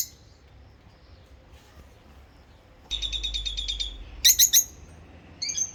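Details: Two rosy-faced lovebirds singing and chirping: after a quiet stretch comes a quick run of about ten sharp, high chirps, then a few loud, shrill, squeaky notes, and finally a brief chattering burst.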